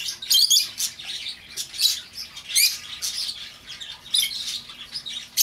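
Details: Loud, grating lovebird chirps used to lure a runaway bird home: rapid shrill bursts throughout, strongest at the start, near two and a half seconds, and around four seconds.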